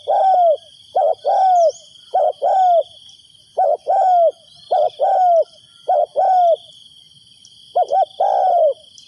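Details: A decoy spotted dove coos steadily to attract wild doves. Short double notes alternate with longer arched croos in a rhythmic series of about nine seconds. A continuous high whine sits underneath.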